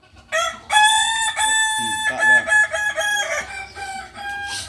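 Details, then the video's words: Kukuak balenggek rooster at a Sunday practice gathering, Ampang Kualo, giving a long steady crow in several held, clear segments linked by brief breaks and pitch steps, over faint background clatter. "ayam kukuak balenggek"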